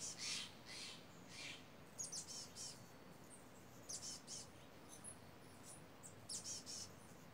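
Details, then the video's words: A pair of loud crows squabbling in mountain redwoods where a hawk sat; short scratchy caws come in bunches of two or three, with quiet pauses and a faint whoosh of wind between them. "Noisy Crows"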